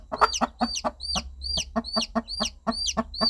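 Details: Mother hen calling her young chicks with gentle rhythmic clucking: low clucks repeated roughly every quarter second throughout, overlaid by steady high descending peeps from the chicks.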